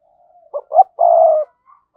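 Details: Spotted dove used as a decoy, calling in giọng thổ style; a faint soft lead-in, two short coos, then one long steady throaty coo, followed by a brief quiet note.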